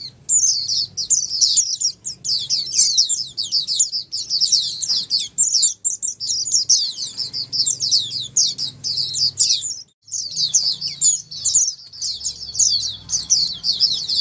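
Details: Many white-eyes singing together, played as therapy so silent white-eyes answer and sing often; a dense, continuous wash of rapid, thin, high twittering chirps with overlapping voices and only brief pauses near ten seconds.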